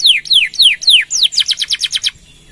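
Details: Canary in loud, persistent song used as a training and lure recording: a run of five high, descending whistled sweeps, then a rapid trill of about ten short downward-slurred notes ending abruptly; no other sounds.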